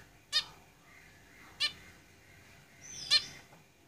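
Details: Caged zebra finches give three short, nasal, harmonic-rich calls spaced over about four seconds, the last one loudest, with a faint high whistle just before it and quiet room hiss between.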